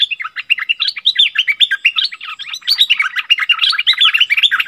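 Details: Wild striated bulbuls in a fierce exchange: dense, continuous bubbling chatter of quick rising and falling whistled notes, many per second, with no pauses and no other clear sounds.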